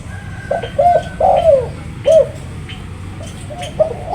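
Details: Spotted dove, called tekukur, giving soft cooing notes around mid pitch, a few short coos then longer drawn-out ones, fairly quiet against a steady low rumble of background noise.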